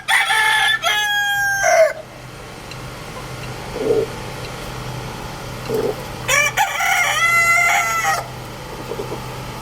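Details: Rooster living with its family crows twice, each crow a loud harmonic cock-a-doodle-doo of about two seconds with a drawn-out middle note, separated by quieter clucks; a steady low hum runs throughout.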